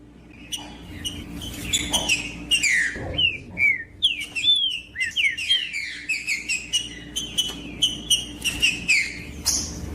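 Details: Green-winged saltator singing to warm up a cold bird: clear whistled phrases with slurred, down-sweeping notes, delivered in quick series between sharp clicks, over a faint steady low hum.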